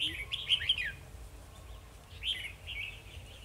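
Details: Red-whiskered bulbul kept as a trapping decoy, singing to provoke rival birds into fighting, 2 December 2020: a quick cluster of lilting whistled notes, a pause, then a second softer warbled phrase.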